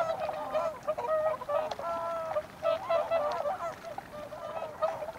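Whooper swans give loud, trumpeting honks, several birds overlapping in a steady chorus with brief bugled notes every second or so.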